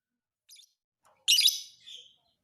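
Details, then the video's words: Fighter lovebird recorded for training other birds: a faint chip, then a loud, harsh, high screech that trails into a softer buzzy tail. "MASTERAN KICAU BURUNG LOVEBIRD FIGHTER"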